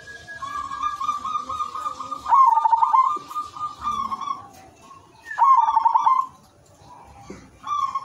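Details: Zebra dove of the silver type singing melodiously, used as a lure to prompt other zebra doves to call; rolling, bubbly cooing phrases around two seconds long with a lower steady tone in between, and faint other birds.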